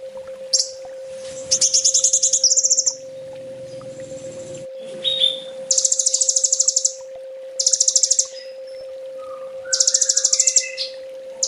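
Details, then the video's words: Olive-backed sunbird master song, full tembak style, for training kept birds: loud, very high, harsh rattling trills in bursts of about a second, separated by short pauses, with a faint steady hum. "Suara masteran burung kolibri ninja full tembak"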